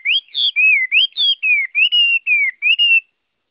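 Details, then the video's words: Chinese hwamei (Garrulax canorus) giving a flowing sequence of clear slurred whistles, rising and falling, about ten notes in three seconds. "Tiếng Họa Mi hót | The sound of the bird Garrulax canorus"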